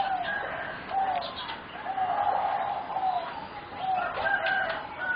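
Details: Four young singing zebra doves, bred for competition and aged about 3.5 to 4 months, repeat soft mellow coo phrases roughly once a second, overlapping each other, with light chirping in the background.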